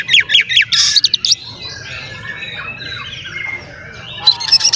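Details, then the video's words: Oriental magpie-robin male singing to rile rival magpie-robins: a quick burst of rapid, repeated high chipping notes, about two or three a second, then a softer stretch of faint warbling before sharp notes return at the end. "SUARA BURUNG KACER GACOR ngeplay santai MANGGIL kacer auto KONSLET buka ekor TERAPI KACER agar EMOSI"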